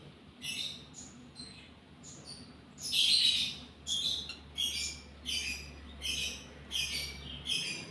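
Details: Lovebird in breeding condition giving a series of short, shrill, squeaky chirps in separate bursts about twice a second, against a steady low hum.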